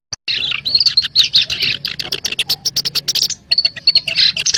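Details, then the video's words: Black-browed reed warbler lure recording for trapping birds: dense, harsh chattering notes pour out almost without pause, with buzzy bursts and a few thin high whistles, in a quiet setting. "SUARA PANCINGAN PIKAT BURUNG KERAK BASI ALIS HITAM"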